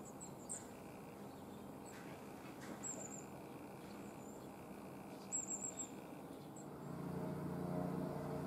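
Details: A few long-tailed tits, about four dropping into a garden from a passing flock of some thirteen with tits in autumn 2020, give thin, very high 'si-si-si' notes in short bursts over low traffic rumble that swells toward the end.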